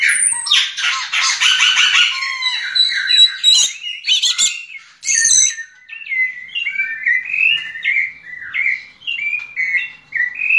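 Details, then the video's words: Singing yellow-legged thrush: dense, scratchy burst of overlapping high notes at the start, then a steady run of short whistled phrases and sliding chirps, delivered almost without pause. "Sabiá una diamante negro cantando!"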